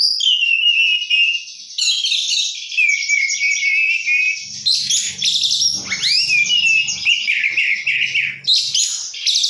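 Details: Vigorous singing by an oriental magpie-robin, its isian-rich song a long unbroken flow of high warbles, rattling trills and a steep downward-then-rising slur, with a low rumbling noise partway through.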